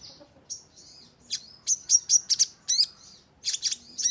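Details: Crimson sunbird, sogon, on a lure track to draw responses: a loose series of thin, very high, sharp chips and short buzzy notes, irregularly spaced, some sliding down in pitch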